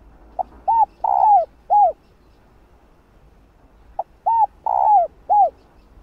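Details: Spotted dove hen's cooing phrase, sung to provoke cock birds into calling, given twice about four seconds apart, each a short pip, arched coos and a long falling middle note.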